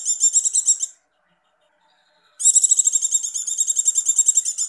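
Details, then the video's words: Javan white-eye female in breeding condition calling in the 'ngecir' style meant to excite males; a trill ends, then after a gap comes a long, fast, shrill pulsed trill lasting over two seconds. "pleci birahi negcir icir" icir" ampuh buat pancingan"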